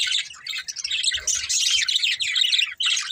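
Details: Budgerigars, a breeding pair, give a steady stream of rapid high chirps and scratchy warbles, nearly unbroken, with one short gap near the end.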